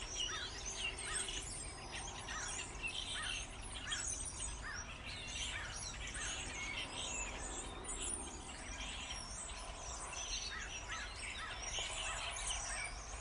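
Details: A starling chorus of many birds chattering at once, a busy wash of squeaky, wheezy notes with repeated short rising-and-falling whistles about every second, over low background rumble.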